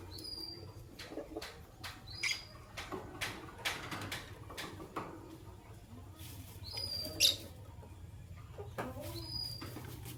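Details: Fischer's lovebirds, a white albino and a pastel green, in the morning: short high thin chirps scattered among frequent clicking and rustling taps, with a low steady hum underneath.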